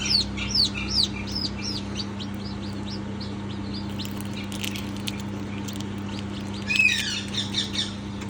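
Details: Peeps of newborn chicks, high and arched, coming in short bursts of several cheeps with quiet gaps, set against a constant low hum.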